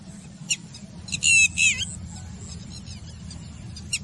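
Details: Red-wattled lapwing at Karimnagar Manair dam water body, giving a quick burst of two or three loud, shrill, strident notes, its distinctive "did-he-do-it" alarm call, with faint sharp ticks before and after over low rumble; Red-wattled lapwing.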